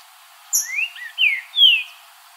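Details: Green-winged saltator singing in nature: a rising whistled slur, a short lower note, then two loud, clear whistles that each fall slightly in pitch, with a sharp, very high chip early on.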